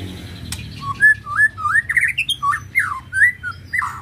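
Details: White-rumped shama, its ketrek used to stir up emotion: a lively run of varied whistled notes, slurred up and down between low and mid pitch, delivered about three or four a second over a low background hum.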